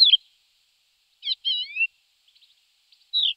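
Thekla's lark gives brief, clear whistled notes at a high pitch, with a short twittering phrase of slurred, falling whistles in the middle; the background is quiet.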